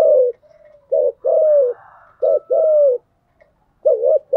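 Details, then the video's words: Spotted dove used to lure wild doves, cooing in the thúc gù and gáy gọi styles: three paired coo phrases, each a brief note then a longer falling one, about one second apart. "Tiếng chim cu gáy mồi giọng lôi cuốn hấp dẫn đủ bài[ THÚC GÙ , GÁY GỌI ]"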